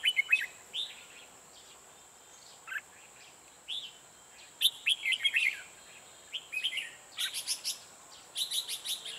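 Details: Red-whiskered bulbul used in trapping wild bulbuls, singing in the 'ché' style: short warbled, liquid phrases in scattered bursts, some quick clustered runs of notes, with a steady high whine running through the background.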